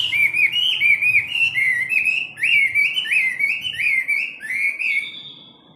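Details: Chinese hwamei, a caged hard-rack bird, singing in its daily morning training; loud, clear whistled phrases repeat in a rolling series, each rising then falling, about four per second, fading at the end.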